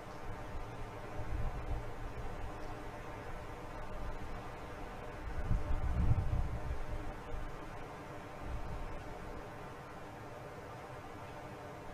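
Steady low rumble and broadband hiss, swelling briefly around the sixth second, with no animal voice.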